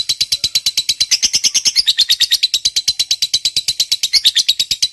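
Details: Long ngekek trill of a lovebird fighter, meant to stir other lovebirds into calling: an unbroken, fast, buzzy chatter of high notes, about seven per second, lasting the full five seconds.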